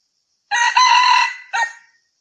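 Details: A red junglefowl crowing, recorded in 2020. One loud, ringing crow lasts about a second, with a steady harmonic tone and a short clipped second note at the end. It is followed by silence.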